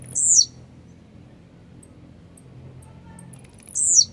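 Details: Grumpy blue-black grassquit giving two short, raspy, high phrases that slur downward, about 3.5 seconds apart, sung to stimulate other grassquits. Low hum underneath.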